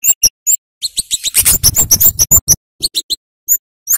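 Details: Flowerpecker giving sharp chirps as a lure for young birds: isolated high ticks, then a fast rattling cluster of notes with some rough noise, ending in spaced single chirps.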